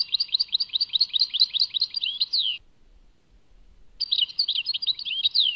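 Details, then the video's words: European goldfinch from Tadmait singing: rapid twittering phrases of varied notes, a short pause, then the twittering resumes; no other sounds. "Chant chardonneret Tadmait"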